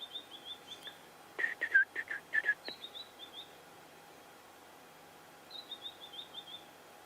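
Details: A white-browed scrub robin calls in the background at sunset on April 30 in Sabi Sand, South Africa, with colder weather coming: thin, high whistled notes slipping downward, a louder burst of lower chirps, then the high run again.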